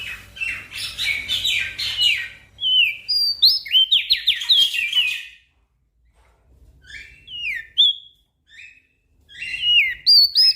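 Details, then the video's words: Energetic song of a Javan grey-throated white-eye (opior jambul), used as a master recording for training small birds: rapid jumbled run of high chirps and downslurred whistles, a brief silence, then scattered sharp notes resuming. "Opior Jambul Gacor Untuk Masteran Burung Kecil"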